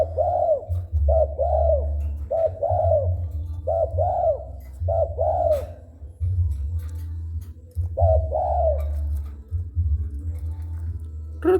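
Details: Spotted dove singing whenever approached. Six rounded, mellow coo phrases come in quick succession, each a brief note leading into a drawn-out arched coo. After a pause, one more phrase follows, all over a constant low droning hum.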